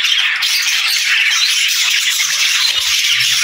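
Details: Chirping and singing budgerigars produce a dense, even wash of high twittering and squeaky notes, with faint low knocks toward the end.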